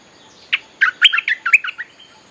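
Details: Streak-eared Bulbul calling song for luring wild birds: one sharp chirp, a short pause, then a lively string of about seven quick, bubbly notes that fade into faint trailing whistles.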